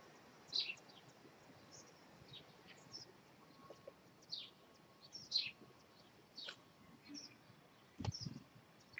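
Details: Robin nestlings, five chicks three days old, calling while their parents feed them, recorded 2/5/2020: thin high chirps that slide downward come in scattered bursts, some in quick pairs, over a soft low background hiss.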